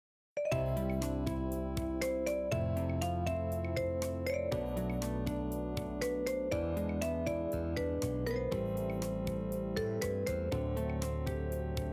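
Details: A bright, chiming synthesized tune with steady bell-like notes and a bass line plays throughout, with no animal voices.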